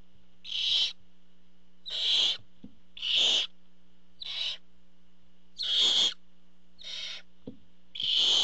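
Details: Barn owl on a nest camera as the father brings food; eight raspy hissing screeches of uneven length and loudness in a loose series, with a couple of soft knocks.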